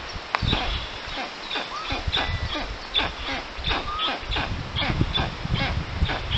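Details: Black storks at a forest nest in Puszcza Notecka, Poland, on 13 June 2019, early afternoon, as a strange adult visits the nestlings. Rough, breathy bursts repeat quickly and unevenly, with thin whistles from other birds and rustling nearby.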